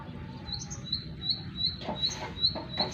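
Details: Bar-winged prinia giving short, high, repeated chirps at a slightly uneven pace, interrupted by a few brief broadband knocks and rustles against a low background hum.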